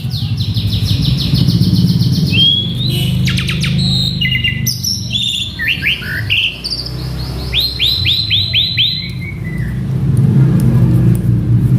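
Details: Male Asian pied starling, worked up and singing a full repertoire of imitations: run of rising whistles, sharp clicks and rattles, then a fast series of upward-swept notes, against steady low background noise.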